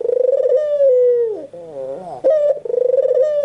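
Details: White dove giving a drawn-out cooing call: smooth, steady low tones that dip and waver in the middle, then resume in a level hum. The sound is clear and close, with no other animals heard.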